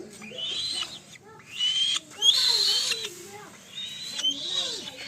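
A young black-shouldered kite gives harsh, wheezy, high-pitched calls in bursts about a second long, over lower, wavering voice-like sounds.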